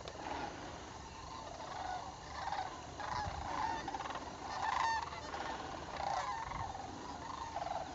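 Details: A flock of sandhill cranes gathers in northern Indiana on fall migration, October: many birds call at once, a steady chorus of rolling, bugling notes with a few louder trumpeting phrases standing out.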